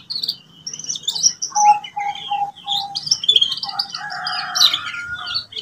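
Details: Young-bird training song of a canary: high twittering, a run of four evenly spaced whistled notes, then a long buzzy roll and bright chirps.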